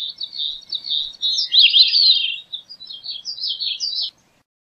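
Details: A long, high, rapid song from a Gray-cheeked thrush: thin, nasal, warbling notes run almost continuously for about four seconds, swelling in the middle and rising at the end before stopping.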